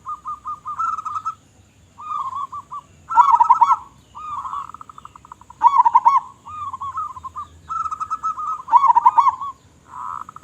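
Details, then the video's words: Local zebra dove singing actively with a big voice, meant as a lure: nearly continuous chains of staccato coo notes, rolling accented phrases repeated throughout with only short gaps. "Perkutut Lokal Gacor Suara Besar Suara Paling di Sukai Burung Perkutut apa Saja"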